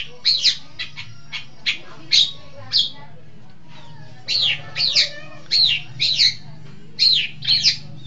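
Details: Long-tailed shrike on a training lure recording, giving short clicks and then repeated downslurred squealing notes in loose pairs, over a low constant hum.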